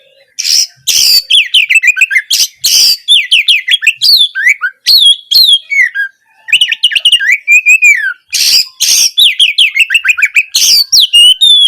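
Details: Kacer in full gacor song, an Oriental magpie-robin masteran for rousing a bird that will not sing; harsh scratchy bursts alternate with rapid whistles, trills and chattering runs, sustained throughout with brief gaps.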